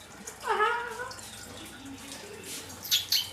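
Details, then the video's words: Talking parrot in an attacking mood gives a harsh, harmonic squawk that rises then falls over about half a second, followed by faint scratchy noises and a brief sharp hiss near the end. "Talking Parrot in Full Attacking Mood"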